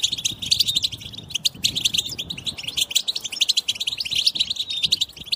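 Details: Chorus of European goldfinches chattering to encourage other goldfinches to sing: busy, high, tinkling twitter with loud metallic chirps scattered through, continuous and fast, over faint low hum.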